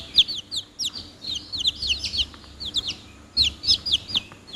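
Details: Close, shrill peeping of chicken chicks, clusters of two to four quick downslurred cheeps, a short lull, then another excited cluster of overlapping high notes.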